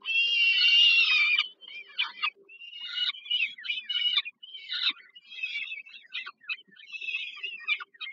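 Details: Peregrine falcon chicks at the Żerań heat plant nest, Warsaw, Poland, during an evening feeding by their mother, July 2022: one long hoarse wail followed by choppy, stuttering short squeals in quick succession.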